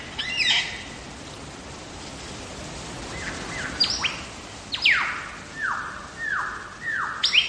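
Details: Wild lyrebird in the Blue Mountains' Megalong Valley, Australia, delivering loud descending whistled sweeps, several repeated in a falling sequence, separated by short pauses with faint bush noise between.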